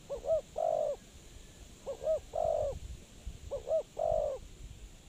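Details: Spotted dove calling as a lure for trapping. Three phrases, each two quick looped notes and a long throaty coo, come about every two seconds over light background noise.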